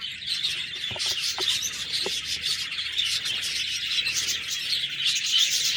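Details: Continuous high-pitched budgerigar twittering, scratchy chirps layered over one another, with a few soft clicks near the start.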